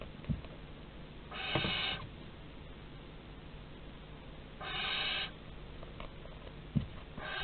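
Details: Barn owls in a nest box at Théding, France, 30 August 2020, with two separate harsh, noisy hisses several seconds apart and a few soft thumps in between.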